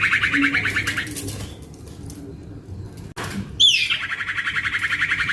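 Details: Cipoh or sirtu, a juvenile male common iora, trilling rapidly, fading to a quiet gap, then after a cut a falling whistle launches another fast buzzy trill.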